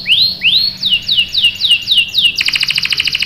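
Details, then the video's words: Female canary in breeding condition calls the male: several rising and falling arched whistles repeated about twice per second, then a sudden switch to a fast rolling trill of short high notes. "PANCINGAN KENARI GACOR CUIT CUIT memancing kenari paud ikut BUNYI | CANARY SINGING"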